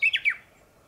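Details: Japanese bush warbler singing from the top of a tall tree on a morning, rather than from its usual low shrub branches; one brief, bright, descending slurred phrase of two quick notes.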